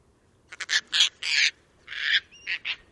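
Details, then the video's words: Caspian tern, described as very vocal with loud raucous screams, gives a string of harsh, raspy, grating calls, about seven short bursts in three seconds, with a faint thin whistle between them; Wisconsin. "Bird Sounds - Caspian Tern"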